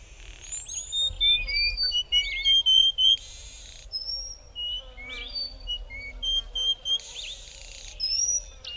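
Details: Near Port Alfred, a pair of Dark-backed weavers sing a synchronised duet, trading high whistles, slurred notes and two bursts of buzzy wheezing at a quick, uneven pace.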